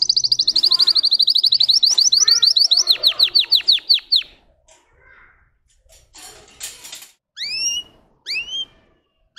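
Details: Russian singing canary: a fast high trill that slows into descending whistles and fades after four seconds, followed by quiet rustling, a noisy burst and a few separate upswept whistled notes.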